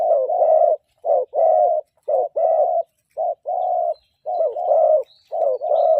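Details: A spotted dove kept as a decoy bird sings a morning song of middle-pitched phrases dropping low. Hollow coos come in tight groups of two or three, repeated steadily with brief pauses, and a faint chirp sounds in the background.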